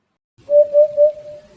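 A hoopoe gives three soft, hollow, low hoots in quick succession, 'oop-oop-oop', evenly pitched and spaced about a quarter second apart.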